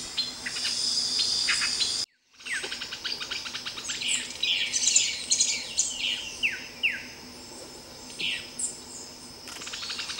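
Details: Streaked flycatcher calling, with a rapid series of high, sharp downslurred squeaky notes at a quick uneven pace, briefly cut off near two seconds, then resuming with clustered chirps over steady high background hiss.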